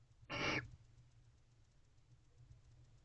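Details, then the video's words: Male barn owl in a nest box at 3:27 am on 3 October 2023, calling to a female: a single short, harsh, hissing screech lasting about a third of a second, followed by a quiet, steady low hum. "Female Barn Owl Joins Males After His Fervent Calls to Her."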